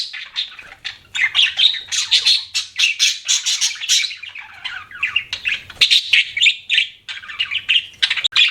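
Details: Kept budgerigar giving a busy stream of squawky chirps and warbles, bursts rising and falling in loudness with brief pauses between phrases.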